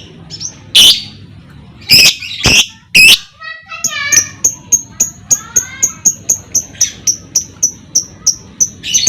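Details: Lovebird ngekek used to provoke other lovebirds into song: a few loud harsh squawks, then a steady run of high, clipped ticking notes repeated about twice a second.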